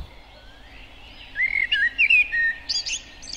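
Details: A Common Blackbird in spring in Finland sings a short, mellow, flute-like warbled phrase ending in a thin, high, squeaky twitter, against a quiet background.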